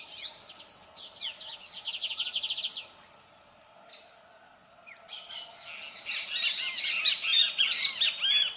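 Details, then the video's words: Lined seedeater, a Brazilian bird of open fields and cultivated land, singing a rapid series of high descending buzzy notes, then a pause with a faint chip, then a loud dense jumble of sharp twittering trills. "Canto de bigodinho"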